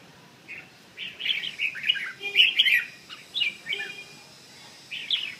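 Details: Red-whiskered bulbul in 'giọng chuông' (bell voice) song: a run of short, rich, chortling phrases that rise and fall, with a few brief sharp clicks against a soft background hiss.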